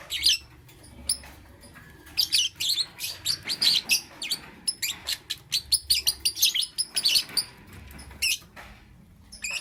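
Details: Morning lovebird chirping: a quick run of sharp, high squeaky chirps and twitters, closely spaced and irregular, rising in density midway, with brief pauses between flurries.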